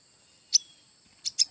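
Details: Red-headed prenjak (tailorbird) nestlings discovered in bamboo being taken for a hut roof: three short, very high, thin chirps, one then a close pair, over a constant high hum.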